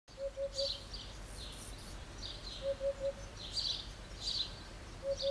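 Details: A Eurasian hoopoe perched on a roof tile sings insistently, repeating a soft, low, hollow 'hoo-hoo-hoo' triplet about every two and a half seconds, while other small birds chirp higher in the background.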